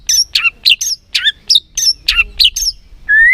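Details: White-rumped shama song played as a lure to excite lazy birds: a series of sharp, high, downward-slurred notes repeated about three times per second, ending with a long rising whistle.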